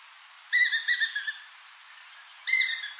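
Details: Near Port Alfred, Eastern Cape, South Africa, a crowned eagle utters a short burst of ringing, pulsing whistles, then silence, then another loud whistle starts.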